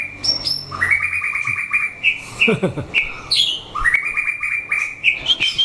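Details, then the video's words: White-rumped shama, captive, singing during a fighting test between birds: clear whistled notes near the mid-high range, a rapid run of repeated rising whistles, then varied slurred phrases, with a few sharp clicks. "Chảo lửa test chim đấu (shama bird singing)"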